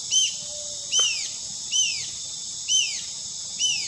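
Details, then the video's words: A pair of White-eared Jacamars in Guainía, Colombia, sing high, thin whistled notes that rise then slur downward, repeated about once a second, over a steady hiss of insects. "Canto pareja Jacamará orejiblanco"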